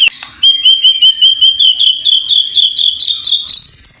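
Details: White-rumped shama (murai batu), a champion songbird, giving a steady high whistle rapidly pulsed into a trill that rises slightly at the end, clear and loud.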